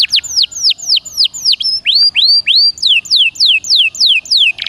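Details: Canary (Serinus canaria) in the energetic gacor dor nembak singing style, a recording used to spur other birds: loud, evenly spaced high whistles that sweep downward, changing partway into rising upswept notes and back to falling slurs.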